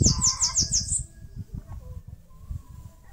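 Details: Bananaquit song from a bird nesting in a mandacaru cactus in Brazil's Nordeste: one second of fast, high, sibilant notes, about six in a row, then quieter low rumbling noise.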